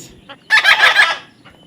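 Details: Talking parrot's single harsh, breathy, speech-like utterance lasting about two-thirds of a second, with steady rough harmonics and a few faint clicks around it.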